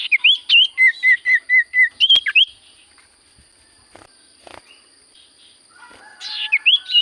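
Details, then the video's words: Common iora singing actively: a rapid, even string of about eight identical short whistles, then warbled rising notes, a quiet spell with faint clicks, and a final burst of looping whistles. "Burung sirtu cipoh gacor suara paling Top cer sirtu cipoh diam langsung nyaut"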